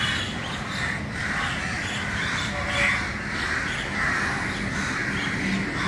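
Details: Early-morning flock of crows crowding together, scattered hoarse caws rising above a constant dense chorus and low background rumble.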